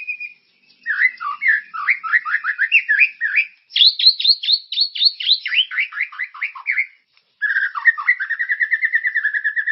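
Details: White-rumped shama singing a lively, characterful lure song to prompt caged birds to sing. Dense cascades of downslurred whistles and chips run for several seconds, pause briefly, then resume with a rapid, even string of notes.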